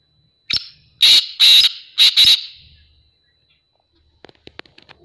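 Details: Black francolin (kala teetar) calling loudly just after release from a cage: a sharp opening note, then four harsh, buzzy, grating bursts in two pairs, fading, followed by faint clicks.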